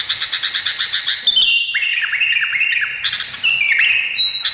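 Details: Buzzy trilled notes open this Indonesian bulbul phrase, followed by a run of liquid falling slurs and a few sustained higher whistles.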